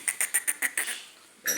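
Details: A grey francolin gives a quick run of harsh, grating notes, about seven a second, trailing off before one more loud rasp.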